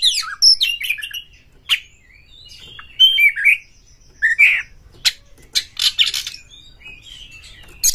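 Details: Oriental magpie-robin, excited and looking for a rival to fight: mixed loud whistles, squawky notes and rapid chattering clicks, with bursts and short silences between them.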